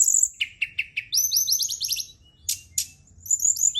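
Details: Night-time song of a Brown-chested jungle flycatcher meant to stimulate singing: three quick repeated notes, then a rapid rattling series of downslurred chirps, sharp high bursts and a closing twittered phrase.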